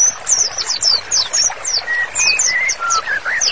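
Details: White-rumped shama singing vigorously, a master recording for bird therapy: high, quick downslurred chips near the top of the range, alternating with a few clear, level mid-pitched whistles.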